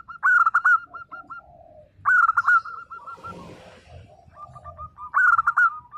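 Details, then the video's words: Local zebra dove giving energetic 'nembak' song: loud bursts of quick notes about every three seconds, each trailing off into a few soft curved coos, with a brief noisy rustle midway. "perkutut lokal gacor _suara nembak perkutut lokal bisu_ 100% LANGSUNG NYAUT"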